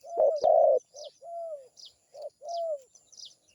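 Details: A zebra dove gives a run of low, hollow coos: short clipped notes mixed with longer drawn-out, slightly falling coos. Thin, high chirps from small birds sound in the background.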